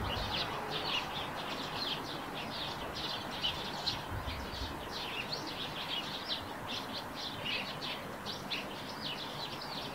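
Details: A Eurasian tree sparrow sings near its nest on a roof. Dense, high, rapid chirps and twittering run continuously, with overlapping notes suggesting several sparrows calling together. Soft background hiss throughout, with no music or narration.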